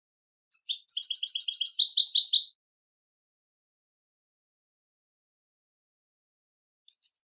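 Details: European goldfinch singing, meant as a model for training birds to sing: a sharp high note, then a fast two-toned twittering trill lasting about two seconds, a long silence, and a brief chirp at the end.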